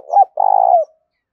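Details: Spotted dove cooing, used to prompt other doves to coo and to train a decoy bird: two short opening notes, then a long rolling, trembling coo that falls away at the end.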